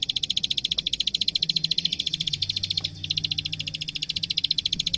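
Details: Plain prinia (burung klik klik, prenjak sawah) in full 'gacor' fighting song, recorded as master material for teaching young prinias: a fast run of dry, high clicking notes, about ten per second, steady throughout with faint low background hum.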